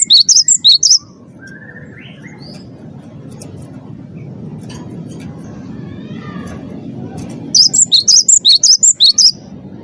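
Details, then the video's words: Champion wingko cinereous tit singing its lure song: a short burst of sharp, high alternating chips, a long quiet gap with faint low hum and soft distant sounds, then another rapid burst of chips. "gelatik batu wingko gacor juara satu pancing bunyi gacor"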